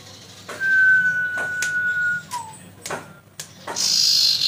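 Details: Common iora song played as bait for singing: a long, slightly falling whistle, then a short downslurred note, amid knocks, clicks and a final high hiss.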